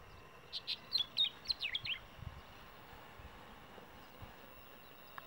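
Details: A brown-chested martin (Progne tapera) sings in December 2015 in Treinta y Tres department, on the road to Mensajero: a quick burst of about a dozen high, scratchy chirps over two seconds, then quiet against soft hiss.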